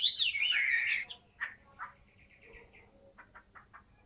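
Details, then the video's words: Caged Chinese hwamei: a loud slurred whistled phrase at the start, then softer spaced short notes repeated at a quick, uneven pace. "HM 230 ngũ trường cao cầu"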